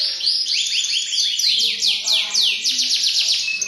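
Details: Canary song made of quick, bright, descending whistled sweeps that pour out one after another, with short high trills between them and a faint murmur of voices behind.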